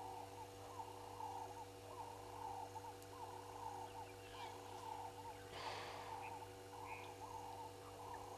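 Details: At Gowrie dam in South Africa's Sabi Sand, ring-necked doves perched on a fallen tree give a rhythmic series of mellow, low cooing notes, roughly one per second, against a steady hum with a brief rustle and faint distant chirps.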